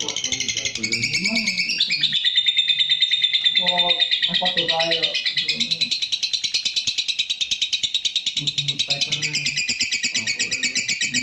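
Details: Lovebird (Agapornis) giving a long-duration sound described as suitable for breeding. Continuous high, rapid chattering trill with a sustained thin whistle early on, alongside lower, softer chirping sounds.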